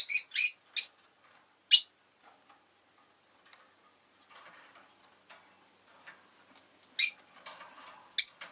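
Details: A pet rosy-faced lovebird opens with a rapid run of four shrill chirps, falls quiet under a soft low hum, then gives two more sharp squeaky calls near the close.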